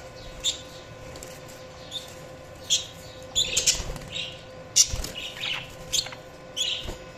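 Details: Budgies giving scattered high tweets and short squeaky chirps, with bursts of wing flutter and rustling in the middle, over a constant low hum.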